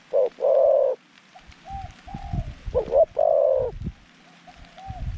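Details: Decoy zebra dove calling to lure wild doves to a trap: a sharp note then a long rolling coo, softer answering coos in the background, another burst of quick notes and a rolling coo, with thumps and rustling.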